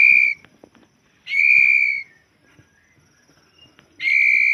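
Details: White-rumped shama (murai batu) repeating long, pure, steady whistles, each held close to a second, with gaps of one to two seconds between them and faint scratchy clicks in the background.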